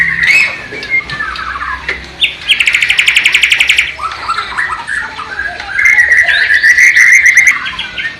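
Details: Borneo white-rumped shama from East Kalimantan performing a song imitating the Sikatan londo flycatcher or nightingale: scattered chirps and whistles, a burst of fast repeated buzzy notes lasting over a second, then varied whistles and another quick trill.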